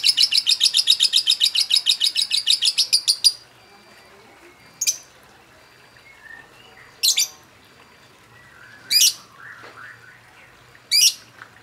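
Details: Lovebird ngekek chatter meant to stir other birds to sing: a fast burst of high buzzy pulses for three seconds, then quiet broken by short sharp chirps every two seconds, with faint background hiss.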